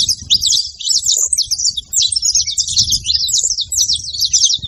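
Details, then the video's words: Saffron finches calling noisily, a busy stream of sharp high chirps and quick slurred notes that barely pause, over a low rumbling background hum. "Canarinhos da terra fazendo barulho"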